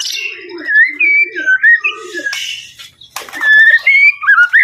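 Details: White-rumped shama song of looping whistled notes that rise and fall, mixed with lower warbled tones and a brief noisy burst, then clear high whistles returning at the end.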